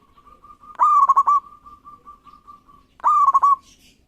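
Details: Eagerly singing local zebra dove, its song intended to trigger rivals to sing back. Two loud, stuttering cooed phrases are joined by a long, steady, soft humming coo.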